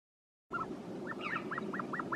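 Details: Caspian snowcock calling after a brief silence: a run of short arched whistled notes, each rising and falling, repeated about every quarter second over a steady low rumbling background.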